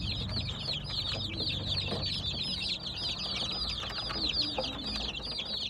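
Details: Baby chicks chirping constantly, a dense chorus of high, short, downward-sweeping peeps overlapping without pause, with a low rumbling hum underneath.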